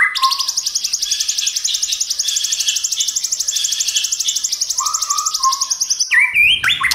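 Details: White-rumped shama, a song for stimulating other shamas to sing: a long fast buzzy trill of pulsed notes, with a few low whistles, then abrupt rising whistles at the end.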